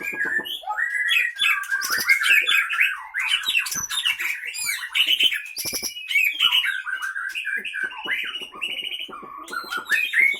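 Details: Aceh Leuser shama, white-rumped shama caught in the Pining area of Gayo Lues, Aceh, between 2012 and 2015, fighting in its cage: a loud, nonstop torrent of sharp whistles, squawky chatter and trills with frequent clicks.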